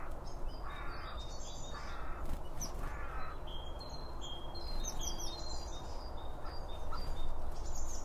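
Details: Birds feeding at a bird feeder, recorded binaurally from two microphones just behind the seed: busy high chirping, thin whistles and a couple of harsher stacked calls, closely spaced over a constant low background hum.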